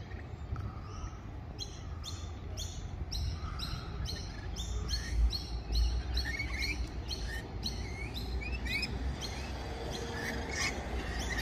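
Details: Close encounter with rainbow lorikeets in Australia: a dense series of rasping, shrill calls, roughly two per second, from a busy group, over a low rumbling background.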